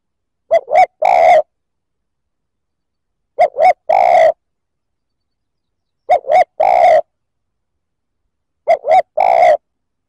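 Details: A spotted dove repeats its three-part coo four times, two brief hoots leading into a longer resonant note, used to provoke rival males, clean and quiet in between.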